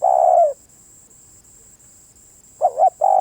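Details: Spotted dove cooing: a loud, low hollow coo cut off at the start, a pause of about two seconds, then a quick double note and another long coo, over a steady faint high-pitched whine.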